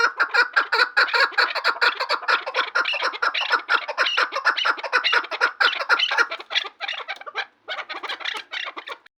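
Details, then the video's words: Chukar partridge giving a loud, dense chorus of rapid repeated chuck notes, with a short break before the series resumes. "Кабки хушхон"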